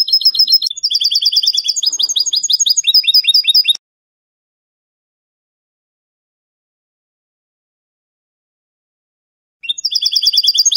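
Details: European goldfinch in Spanish salon song style, sung without endings and meant as a CD tutor: nearly four seconds of rapid, high twittering trills, a long silence, then the trill starts again.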